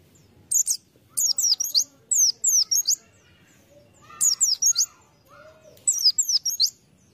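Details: A white-eye, recorded for use as a lure sound, gives rapid bursts of very high, thin chirps and twittering notes in quick runs roughly every second, with faint lower twitters between.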